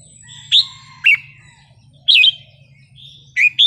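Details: Red-whiskered bulbul, 'wild song' style: four or five separate loud, cheerful whistled notes spaced about half a second to a second apart, some slurred upward, with a steady low hum behind.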